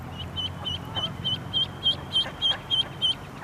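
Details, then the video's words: A mallard duckling, scared while swimming in a pond, cries for its mother with loud, high, piercing peeps, about three a second in a steady run, over a faint low hum. "Baby Duck Quacking & Crying"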